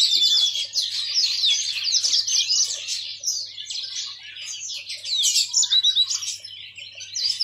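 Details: Yellow-fronted canary, a seed-eating finch kept as a cage songbird, singing a continuous high twittering warble of fast trills and slurred whistles, dense and unbroken throughout.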